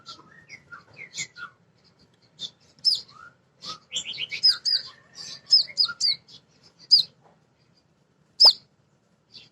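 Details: Female sunbird (kolibri ninja), a caged bird singing actively as a lure to make other sunbirds sing; high, thin chirps and twittered phrases in loose bursts, some sharp downward flicks, with a quiet background.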